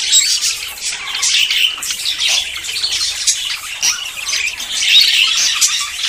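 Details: Budgerigars courting and about to breed: dense, continuous warbling chatter of squawks and chirps, layered and unbroken throughout.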